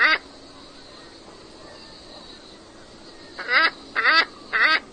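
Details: Scarlet ibis calling: one short nasal honk, then a quiet pause of about three seconds, then three quick honking calls in a row, each harmonic-rich with a slight upward bend.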